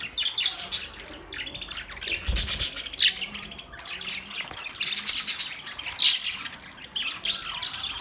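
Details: Domestic Budgerigar chirping in repeated bursts of fast, ticking, scratchy chatter separated by short pauses, with occasional brighter squeaks and a brief low thump near the middle.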